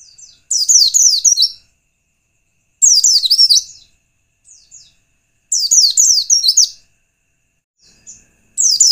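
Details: White-eye song used as a lure to provoke other white-eyes: bursts of high, rapid, chirpy descending twitters, each about a second long, separated by short silences, with a few faint soft notes between bursts.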